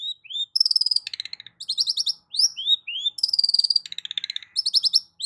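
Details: Long-tailed shrike song used as a lure for a silent shrike: rising whistled slurs alternating with fast buzzy trills and rattling bursts, densely packed and loud.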